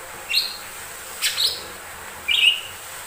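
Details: Lesser green leafbird song used as a lure to provoke other birds to sing: three short, separate high chirped notes, the last a rising whistled slur, with quiet pauses between them.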